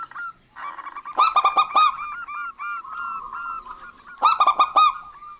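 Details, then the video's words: Local male and female zebra doves answering each other. A burst of crisp, rapid coos is followed by a long, smooth series of soft, rolling notes, then another bright burst near the end. "Perkutut Lokal Gacor Betina Dan Jantan Bersahutan"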